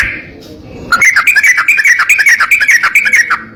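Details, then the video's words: Sooty-headed bulbul singing rapid, harsh-style phrases to train other bulbuls: after a faint muffled start, a steady rattling stream of short whistled chirps, more than two per second, for over two seconds. "BURUNG TRUCUK GACOR ROPEL NEMBAK KASAR‼️ MASTERAN TRUCUK 2026"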